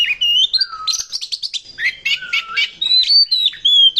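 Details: Oriental magpie-robin, a territorial fighting bird used in song contests, delivering a dense mix of whistled slides, low descending whistles, chattered notes and bright high whistles in quick succession.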